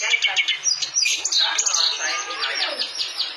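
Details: Clamorous reed warbler singing steadily: dense, harsh chattering phrases with scratchy trills and quick high notes packed together without pause, with faint voices in the background.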